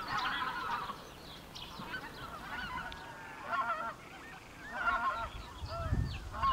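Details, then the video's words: A Greater White-fronted Goose flock calls: overlapping high, yelping two-note honks in bursts every second or so from several birds together, with a low rumble of wind. "Гусь белолобый Anser albifrons"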